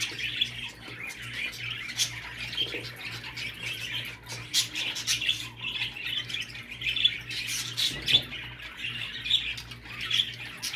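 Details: Budgerigar sounds to encourage a male to mate: continuous rough, squawky warbling with sharp clicks and high squeaks scattered throughout, over a constant low hum.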